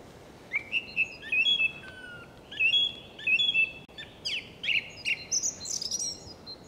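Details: Evening skylark song on Ameland: a continuous stream of varied whistled and warbled phrases, slurring up and down and rising to higher twittering notes at the end, against a low steady hiss of wind and sea.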